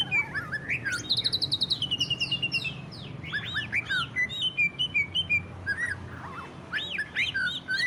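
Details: Greater green leafbird song in the 'ngentrok' style, played to prompt other leafbirds to sing: varied whistled and chattering phrases, rapid high trills and rising-falling slurs in bursts, over a low hum.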